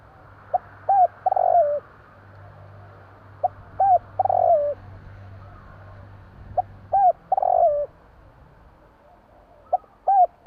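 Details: Night-time calling of a Javanese tekukur, or Zebra dove: three or four short curved coos followed by a fuller falling coo, the phrase repeated about every three seconds, with a steady low hum underneath.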